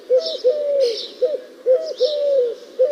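Eurasian collared dove cooing a low three-note phrase, short, long, short, repeated about every one and a half seconds, with faint higher hissy sounds behind.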